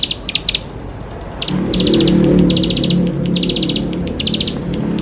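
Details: Lively bar-winged prinia song intended to prompt young birds to sing: a few sharp high chips, then several rapid ticking bursts over a rising low rumble and hum.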